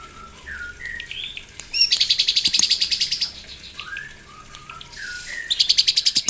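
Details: White-rumped shama singing in the morning to excite rivals: soft rising whistles broken by two bursts of rapid, high, rattling notes, repeated several times a second.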